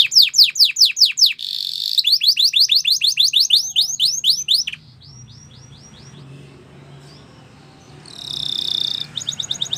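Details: Canary training song: fast falling whistles and buzzy trills for several seconds, then a stretch of faint notes over low background noise before a brief trill returns.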